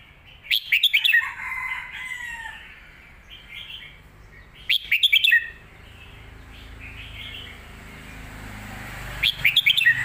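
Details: Caged Red-whiskered bulbul repeats its quick, complete song phrase for training young birds, three bursts of rapid bright whistled notes several seconds apart, with softer warbling and short chirps between them over a faint low hum.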